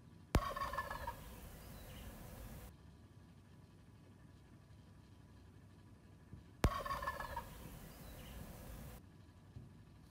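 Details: A wild turkey visiting in the morning gives two loud, rapid, rattling gobbles about six seconds apart, each lasting a couple of seconds, over a low steady outdoor rumble.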